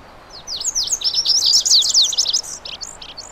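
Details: Male-type song of a Lazuli bunting, a bird of shrubby western North American hillsides: a fast, tumbling string of high piercing notes and buzzy slurs, densest mid-phrase, lasting about three seconds over faint background hiss.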